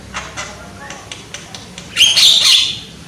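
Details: Young Javan myna with a loud voice: a run of dry, evenly spaced clicks, then a bright, wavering whistled trill bursting out near the end.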